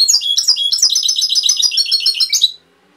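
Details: Goldfinch singing a Cobia Málaga (Touilila) phrase: rapid chattering twitters and tinkling high notes strung together for about two and a half seconds, ending abruptly, with no other sounds.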